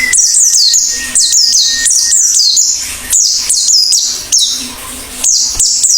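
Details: Actively singing Oriental white-eye delivering fast, high, downward-sweeping chirps in quick succession, a few per second, with a flat tone early on and low hum.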